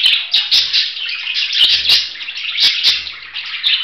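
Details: Budgerigar pouring out rapid scratchy twitters and squeaky warbles, with loud clicks roughly once a second throughout the brief stretch.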